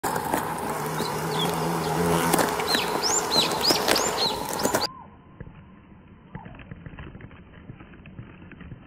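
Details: Eastern buzzard at a nest in a willow in riparian forest in Japan, sunny late afternoon around 18:30, early June 2019, as a parent visits to feed chicks: high, thin, arched whistles repeated rapidly over a low steady hum, then quieter slowed sound.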